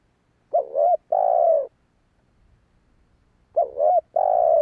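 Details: Spotted dove coo for luring wild doves: two phrases about three seconds apart, each a short warbled two-part note leading into a drawn-out mellow coo, clean background.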